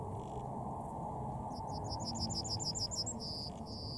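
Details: One Yellowhammer song: a quick series of high, sharp, evenly spaced notes, roughly a dozen, finishing with a long held note, then a brief extra note; constant low background rumble throughout.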